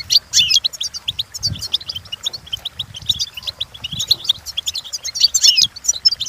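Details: European goldfinch song for training: lively unbroken twittering, dense and bright, with louder buzzy flourishes at the start and near the end, and faint low rumbles beneath.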